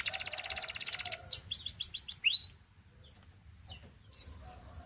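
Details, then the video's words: Training-practice song of a canary: a loud, rapid, rattling trill, then a short run of high slurred whistles, then near silence broken by a few faint, thin chirps. "Canary Singing Practice Video"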